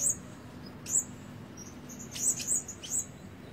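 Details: Red-breasted Blue-crowned Hanging Parrot kept as a decoy bird, calling during a voice trial: thin, very high, short chirps, single and in quick pairs, spaced irregularly over soft background hiss.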